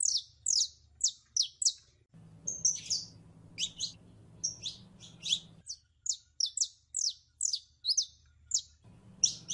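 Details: A canary hen in heat calls a male to mate with a steady stream of sharp downslurred chirps and occasional short whistles, roughly two or three per second.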